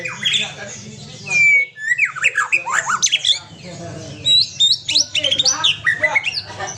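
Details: Aceh white-rumped shama singing harsh, squawky notes mixed with clear whistled slurs and chatter in a rapid, jumbled stream, with a steady low hum behind.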